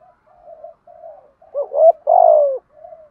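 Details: Spotted dove, a lure bird, giving its 'thúc gù' urging coo: soft, low murmured notes, then a loud phrase of two short rounded hoots followed by a long drawn-out mellow coo that slowly falls, then quiet murmuring again.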